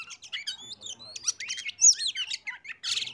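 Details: Lure recording of an oriental magpie-robin meant to set other birds singing; rapid, varied high notes, upward and downward whistled slurs and sharp chips, ending in a brief harsh buzzy burst.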